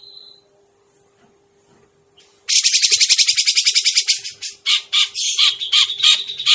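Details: Grey-cheeked bulbul trapping lure: near silence with a faint hum, then an abrupt loud burst of fast buzzy chattering notes, about four per second, slowing into rougher, uneven squawks.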